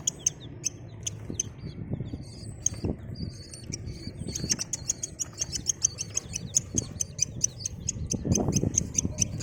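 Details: Desi baby chicks chirping: very high, short pips repeated quickly and steadily throughout, several callers overlapping, over low rustling and handling noise.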